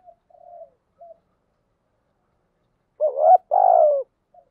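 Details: Spotted dove kept as a decoy, cooing to provoke and lure wild doves: a few soft, short low coos, then after a pause a loud two-part coo, a rising note followed by a long sustained falling one, in quiet surroundings.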